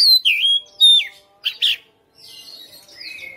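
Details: Home-bred caged Oriental magpie-robin in a persistent fighter style, singing hard and unloading its learned repertoire. Clear high whistled notes slide down, a pair of short bursts follows after a pause, then softer, thinner warbling trails off.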